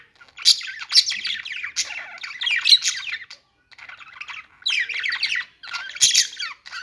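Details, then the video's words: Budgerigars chirping: dense bursts of scratchy warbles and squawky chirps in quick runs, broken by short pauses, as several birds chatter. "budgies singing | budgie sounds | parakeet chirping sounds"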